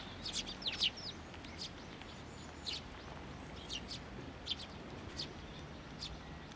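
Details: Sparrows assembling on a shrine's water bridge at Tenmangu, 30 June 2023, waiting to be fed. Scattered bright chirps, some in quick pairs or short clusters, stand out against a quiet background.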